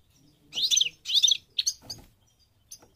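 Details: Goldfinch of the parva subspecies from Morocco, North Africa, giving two short bursts of twittering, then a couple of brief chirps and a lone high note after a pause.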